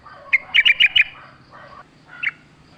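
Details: Sooty-headed bulbul singing energetically in wild style, a lure to spur caged birds: one sharp note, then a fast run of four bright chirps, a soft murmur, and a final single clipped note over a low hum.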